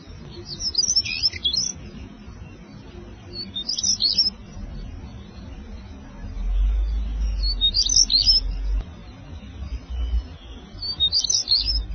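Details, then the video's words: African stonechat singing brief, scratchy, high twittering phrases every three to four seconds, over a low rumble of wind. "Conchemoro, càntigu - Saxicola torquatus - African stonechat - Saltimpalo"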